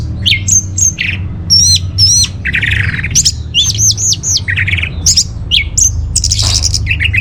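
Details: Orange-headed thrush song used as a lure and master song for caged birds, from North Bali: loud varied phrases of high whistled loops, rapid trills and harsh squawky notes mixed, with a low steady hum beneath.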